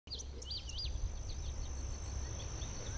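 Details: At Shaw Nature Reserve, a bird singing a quick run of high, sharp paired notes fading after a second is likely an Indigo Bunting (possibly a blue grosbeak or bluebird), over a low rumble and thin insect-like whine.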